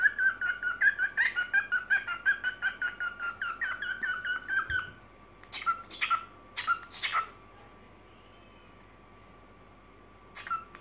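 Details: Evening singing from a pet cockatiel: fast rows of harsh chirps over a steady whistled note, about 160 per minute for five seconds, then sparser buzzy notes each ending in a short whistle, a steady faint tone underneath.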